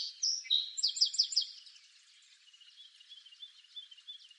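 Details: A song sparrow in eastern North America sings a bright, high phrase: a few clear opening notes, a quick run of downslurred notes, then a softer buzzy trill fading away.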